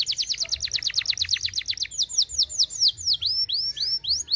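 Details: Canary in full song, used to stir other birds into singing: a rapid, evenly repeated high trill of sharp notes, changing to slower, broad swooping whistles.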